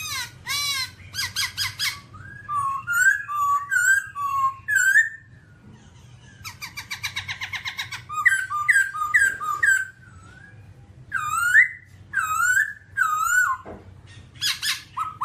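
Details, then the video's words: Babbler, wholly black and said to inhabit rocky areas, singing bursts of sharp whistles and rapid buzzy rattles, then bouncy downslurred notes in quick series, with short silences between phrases and a faint low rumble throughout. "birds Timaliidae singing"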